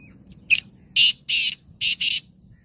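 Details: Black francolin (kala teetar) of the Gangas strain kept in a cage: a clipped tick, then two loud harsh grating notes and a closing pair, over a low rumbling background.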